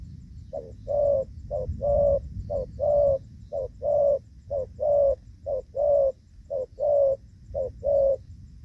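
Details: Spotted dove giving the 'gù vấp' coo during rainy-season trapping with a decoy bird, 23 July 2024: low mellow coos in pairs, a short note and then a longer one, repeated about once a second. A low rumble sits in the background.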